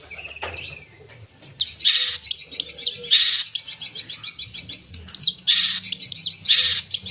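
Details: Long-tailed shrike in full voice with mimicry. A thin rising whistle opens, then harsh, loud, noisy high bursts mixed with quick chirps come in groups about a second apart.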